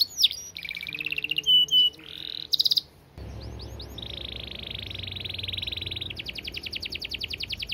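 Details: Canary singing a dense, fast-paced long song: rapid trills, buzzy rolls and sustained high tones switching abruptly, ending in a rapid pulsed trill, loud and continuous throughout.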